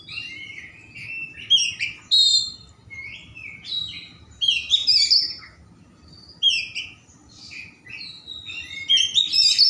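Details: White-rumped shama, a caged bird in Indonesia, singing a rich varied song used to prompt slow shamas to sing: bright whistles, rising and falling slurred phrases and sharp chirps, mostly high-pitched, with a low background hum.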